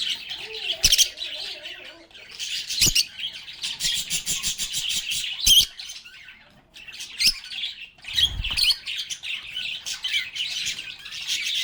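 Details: Lovebirds singing, playing and chattering together: a dense, continuous stream of shrill chirps and squawks, with bursts of rapid, clicking notes and brief pauses, from several birds calling at once.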